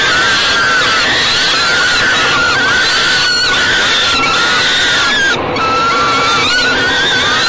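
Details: Falcon babies receiving food from their mother at a Great Spirit Bluff nest box on 28 May 2013, evening; sustained hoarse screeching wails, drawn out and overlapping, with a couple of short interruptions.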